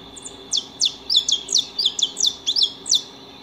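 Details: Several high, thin chirps from saffron finches eating at a home, each note sliding quickly downward, delivered in an irregular stream of roughly ten calls with slight overlaps and a constant faint high-pitched hum behind.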